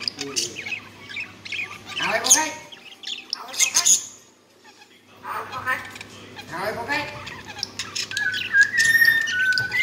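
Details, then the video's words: A one-year-old common hill myna talks clearly in harsh, voice-like phrases, with squawks and sharp whistles between bursts and a low hum underneath. "chim nói rất nhiều sau 1 năm tuổi//nhồng nói rất rõ"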